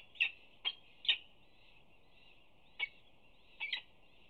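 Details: Female peregrine falcon feeding two chicks for the first time at UC Berkeley, 25 April 2019, chirping to signal food: a few sharp high chirps, a pause, then a close pair, over a faint hiss.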